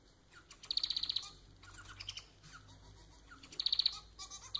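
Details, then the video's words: Pet society finch (Manon), Lonchura striata domestica, used to get a pet singing: two bursts of fast, bright, rattling high notes separated by varied chirps and soft slurred notes, in a quiet room. "Vídeo para fazer seu MANON cantar muito!"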